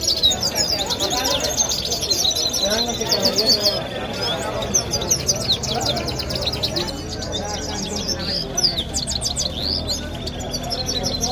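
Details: Goldfinch song from Kabul, Afghanistan, a continuous stream of quick, high, liquid twitters and trills, with short bursts and brief pauses, heard above constant human voices and low street noise.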